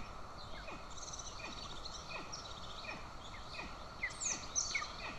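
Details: Golden eagle family in Estonia, June 2024, mother feeding an aggressive chick, father carrying a bird; faint repeated slurred chirps build into higher, brighter squeaks near the end over steady electrical hum.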